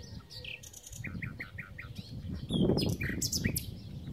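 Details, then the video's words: Common nightingale on a spring day at Titel, Serbia, 8 April 2016, delivering a run of six evenly repeated short notes, then high sweeping whistles and chips, partly masked by a loud low rumbling noise. "Ptica - slavuj / Bird - nightingale"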